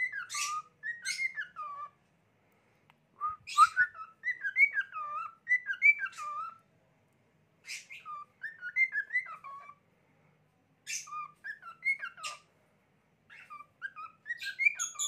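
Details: A lutino cockatiel sings bursts of clear, warbling whistles that rise and fall, separated by brief pauses.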